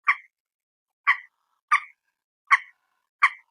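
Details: Five clipped, harsh croaks from a common moorhen (peruk), evenly spaced about two-thirds of a second apart, with silence between, captured on a mobile phone.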